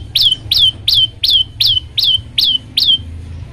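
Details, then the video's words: Olive-backed tailorbird song used to set other birds singing: sharp notes sweeping down to a steady high whistle, eight in a row, repeated almost three times a second, with low background hum. "masteran prenjak lumut bikin semua burung ikut bunyi"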